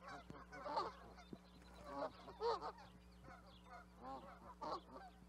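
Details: Canada goose honking: loud, nasal, harmonic calls in quick irregular bursts, several overlapping as though more than one bird calls, over a steady low electrical hum.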